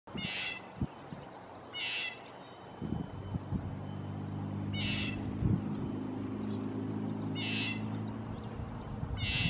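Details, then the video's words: Red-breasted nuthatch giving five short, nasal, tinny calls spaced about one and a half to two seconds apart, each a brief buzzy note, over a steady low rumble and occasional soft knocks. "Red breasted nuthatch"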